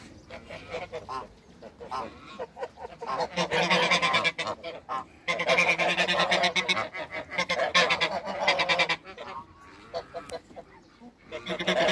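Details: African and Toulouse geese on a farm, met for the first time, give a loud chorus of harsh, overlapping honks in bursts, with short quieter gaps between the outbursts.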